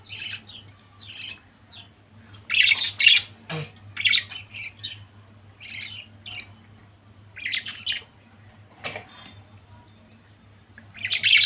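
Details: A family of pet budgerigars chattering indoors: bursts of short, scratchy, high chirps and warbles come in clusters every second or two, with a louder squawking flurry near the start, over a steady low hum.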